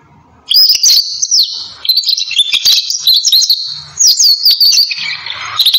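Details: Belgian canary song in varied high twittering phrases and quick warbled trills, broken by short pauses, with faint low background sounds.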